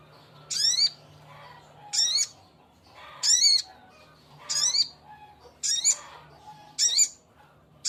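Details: Male little spiderhunter calling a female: a steady run of six loud, rasping, high-pitched notes repeated about every one to one and a half seconds, over a low background hum.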